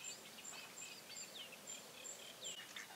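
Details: Bearded tit fledglings, 2017: thin, very high notes repeat roughly every third of a second, mixed with a few sharp downslurred calls, over a steady soft hiss.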